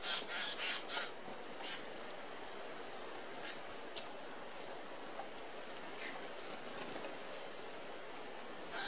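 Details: Red-browed finches, Australian natives, at a flock feeder; faint high thin peeps scattered through the clip, with louder flurries of notes at the start and the end.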